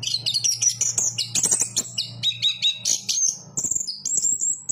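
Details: Chestnut-capped thrush singing fast, very high whistled notes and chattering trills in dense succession, with a steady low hum in the background.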